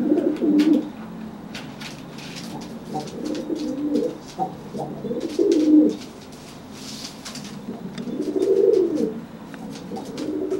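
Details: Threat cooing from a dry pigeon facing a wet bird that just bathed and cannot fly: deep, rolling coo phrases in separate bursts, rising then falling, with scattered clicks and scuffles.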